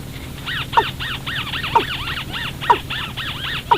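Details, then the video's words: Watercock call used as a lure for trapping birds at night: sharp falling notes about once a second over a dense chorus of arched, nasal overlapping calls and a low steady hum. "tiếng chim cúm núm"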